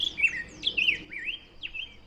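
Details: A Black-headed Grosbeak sings robin-like warbled phrases of high sliding whistles, rising and falling quickly with brief pauses, similar to a robin in cadence and volume but including a non-robin "twirr" sound.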